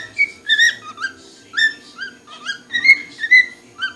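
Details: A cockatiel inside a liquor cabinet gives a quick series of clear, bright whistled notes, some rising and some falling.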